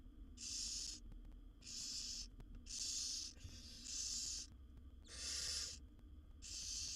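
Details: Begging barn owl chicks, one of seven nestlings fed by the mother in a wild nest box: long breathy hisses about 0.7 seconds each, evenly repeated near once per 1.25 seconds, with faint low background rumble.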